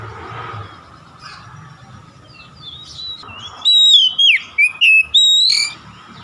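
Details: Oriental magpie-robin (kacer) song played as a lure to make other kacer sing and sing continuously: quiet start, then a rapid burst of varied loud whistles, rising and falling slurs with short gaps, over a constant background hum.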